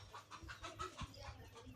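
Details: A broody hen set on Fayoumi chicken eggs in a village gives soft, low clucks in a quick, steady run of about six per second over a faint background hum.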